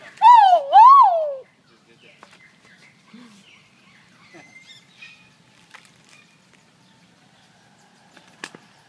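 A peahen gives two loud, nasal, wavering notes in quick succession, each rising then falling. Only faint background sounds follow in a quiet setting.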